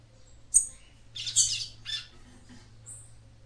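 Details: Female papa-capim seedeater calling to excite her male: a sharp squeak, then harsh buzzy chirps in quick succession, ending with a thin high whistle.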